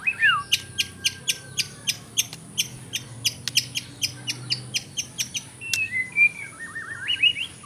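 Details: White-rumped shama singing a kapas tembak-filled song: a run of sharp clicking notes repeated about four times a second, followed by fluid warbled whistles that wobble up and down, with a constant high tone behind.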